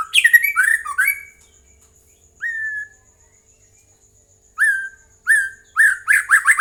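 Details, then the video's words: Lure song of the white-rumped shama for stirring other birds to reply: varied rapid whistling opening, then single clear slurred whistles separated by pauses, rising into a quick series of repeated whistled notes. "Pancingan murai jadikan burung anda ikut nyaut dan gacor"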